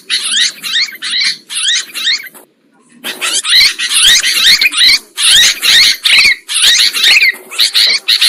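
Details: A sooty-headed bulbul lure recording: high, scratchy chirps in quick bursts, about two a second, with a brief pause before the busy chatter resumes.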